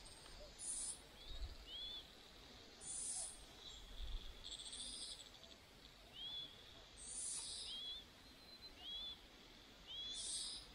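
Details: Chinese Hwamei chicks begging while both parents feed them: harsh, high hissing bursts roughly every two seconds, mixed with short thin upslurred squeaks, over a steady background hiss.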